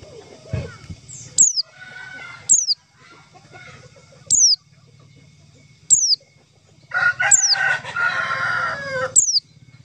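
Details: White-eye call for luring white-eyes into traps: lone, sharp, high descending whistles spaced one to two seconds apart, with clucking chickens and a rooster's crow in the background.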